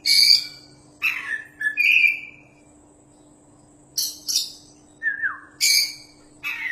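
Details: Champion Oriental magpie-robin singing vigorously, suitable as a tutor for other birds: loud bursts of sharp, buzzy notes and clear whistled slurs, some dropping in pitch, in short phrases separated by pauses of one to two seconds, with a faint steady hum behind.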